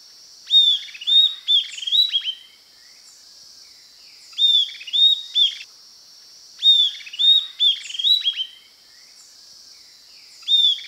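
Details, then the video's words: Southern antpipit from Brazil singing: bursts of sharp, high whistled notes, each opening with a clear upward-bending whistle followed by rapid descending clicks, phrases of about four notes repeated roughly every three seconds, over steady insect-like background hiss. "Canto pássaro Estalador (Corythopis delalandi)"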